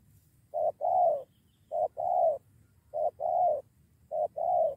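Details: Spotted dove responding to a decoy, poised for a fight with another bird joining; four neat pairs of a short coo then a longer one, evenly spaced about every 1.2 seconds.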